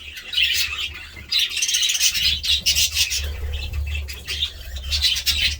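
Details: Overlapping budgerigar chirps and warbling come in bursts from several birds, with a low background drone throughout.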